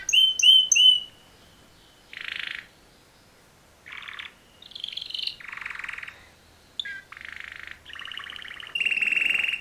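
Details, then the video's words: Male canary mating song with pauses: three bright whistled notes, then separate short buzzy rattling bursts and a trilled whistle, with silent gaps between phrases. "Super Two Males Canary Mating Call Songs"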